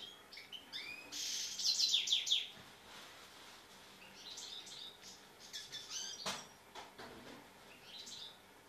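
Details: Tame European goldfinch giving scattered high chirps and a short burst of liquid twittering, broken by pauses, with a faint background hiss.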